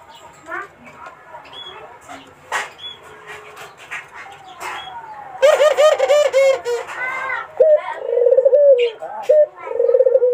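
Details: Barbary dove coo song aimed at coaxing a rival: the first half is quiet with scattered clicks and knocks, then loud, low, rolling trilled coos repeat toward the end.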